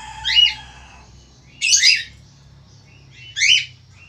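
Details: Strident calls of a male Australian falk: a sharp chirp over a low steady tone, a harsh noisy double squawk, then another bright downward-slurred note, spaced about one and a half seconds apart.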